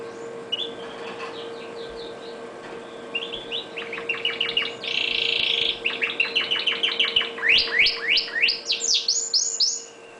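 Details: Red factor canary singing: scattered chirps build into rapid high trills, a dense rolling stretch, then sweeping slurred notes repeated quickly, over a steady electrical hum.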